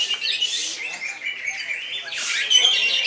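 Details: Greater green leafbird delivering koncer song, a fast run of shrill chirps and slurred whistles ending in a brief clear high tone, all loud and tightly packed.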